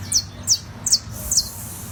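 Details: Warming-up song of a saffron finch (canario da terra): four high, thin, downward-slurred chirps spaced about every half second, over a faint low hum.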